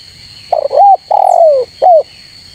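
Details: Spotted dove challenging rivals: quick stuttered coos swelling into a mellow note, a long downward-sliding coo, then one clipped rising-falling coo, backed by a persistent high electronic hum and one faint distant chirp.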